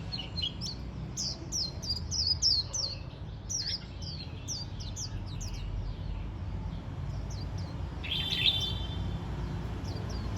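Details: Warbling white-eye chattering on the first day of autumn: rapid high, thin twittering notes falling in quick sweeps, run together in busy bursts, with a brief brighter trill near the end over steady low background rumble.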